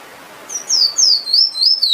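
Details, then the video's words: Finch, known locally as emprit, singing: a string of about five high, thin whistled notes, each sliding downward and linked into a wavering chain, over faint background hiss. "Bird Finch/Emprit Singing Power"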